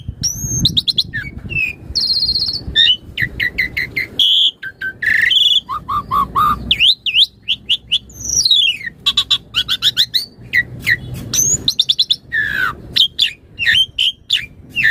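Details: Master song of an Asian pied starling (jalak suren) used for teaching other birds, a varied stream of whistles, squeaks, downslurs, rattles and fast chatter over fifteen seconds.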